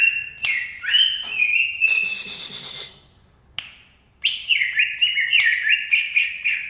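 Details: Green leafbird from Banyuwangi with two bursts of varied whistled song separated by a short pause, the second phrase made of rapid up-and-down zigzag notes.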